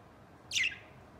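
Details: One of three budgerigars living peacefully together and playing calls once: a brief, bright, high chirp that slides downward and ends abruptly, over quiet background hiss.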